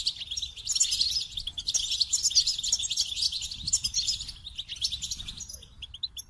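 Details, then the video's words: Goldfinch song: a dense, fast, continuous twittering of high tinkling notes and buzzy trills, running without a break for about five seconds before fading into a few scattered chirps. "The Captivating Call of Goldfinches"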